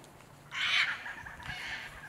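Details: A flock of roughly 50 yellow-tailed black cockatoos cracking walnuts in a walnut grove in northern Tasmania in midwinter gives a harsh, drawn-out wailing screech, then a softer, longer cry.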